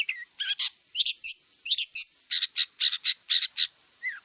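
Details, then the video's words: A wild long-tailed shrike sings a chattering series: a few whistled and buzzy notes, then evenly spaced harsh chips, ending with a short falling whistle; a steady high hiss runs throughout. "Kicau cendet liar"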